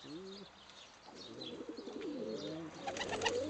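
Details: Friendly tame female pigeon kept in an aviary, answering a person's cooing and bowing with soft low coos, followed by wing flaps and scuffling toward the end.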